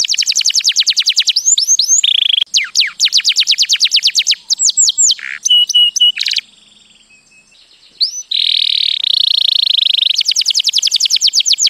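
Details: White canary singing, fast rolling trills of rapid downward sweeps broken by buzzy steady notes and a short quiet pause, then a long rapid trill to the end.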